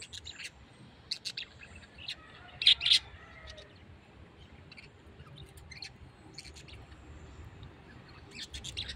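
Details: Parrot calling in brief high chirps, with a pair of louder squeaky notes near the three-second mark, then scattered soft tweets.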